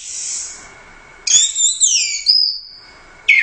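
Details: Orange-headed thrush, champion competition bird of the Royal Cup, in gacor teler doyong song. A thin high whistle fades, then a strong sliding phrase falls into a long level whistle, with another phrase starting at the end.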